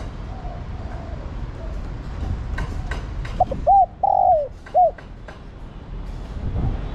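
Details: Female spotted dove calling to a male: one phrase of short arched hoots with a longer wavering coo, set against low background noise and a few clicks.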